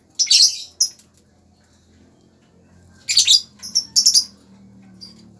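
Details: Lovebird uttering sharp, high squeaky calls: a harsh burst and a single chirp, a long pause, then a rapid cluster of three or four shrill notes.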